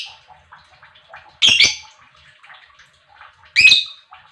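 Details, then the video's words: Lovebird chirping meant to stir other lovebirds into song: two loud harsh squawky chirps about two seconds apart over quiet scattered twittering. "Lovebird Chirping Sounds"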